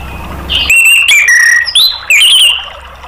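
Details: Orange-headed thrush (anis merah) singing as a therapy and prompting track meant to get other caged birds to sing. Loud, rich whistled phrases slur down, then rise in bright, slightly buzzy notes, nearly continuous for about two seconds after a quiet start.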